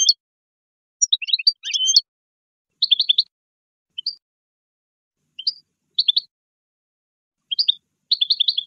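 A goldfinch sings bright, high twittering phrases in short bursts, often quick trills, spaced by pauses of half a second to two seconds, against a quiet background.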